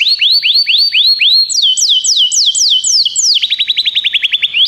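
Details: Training song of canaries: slow hooked upward sweeps repeated about four times a second, then broader falling slurs, finishing in a fast dense trill of short curved notes.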